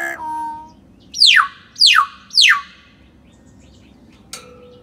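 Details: Common hill myna sound played to prompt a silent bird to sing: three loud, steeply falling whistles about half a second apart, with shorter steady tonal notes at the start and end.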